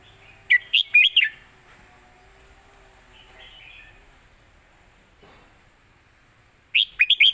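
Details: Red-whiskered bulbul giving a southern Thai-style teaching song: a quick phrase of four liquid whistled notes, a quiet stretch with faint soft warbles, then the start of another phrase at the very end.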